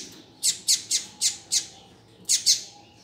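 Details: Sharp, high chip notes from a double-collared seedeater, given in a quick run of five, a pause, then more, over a faint steady hum.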